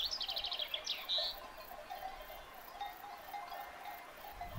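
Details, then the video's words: Common chaffinch in a meadow at Fuente Dé, Picos de Europa: a quick descending series of bright notes ending in a short flourish within the first second and a half, then only soft tinkling chime-like tones and ambient noise. "Pimpín común nun prado de Fuente Dé, PICOS de EUROPA"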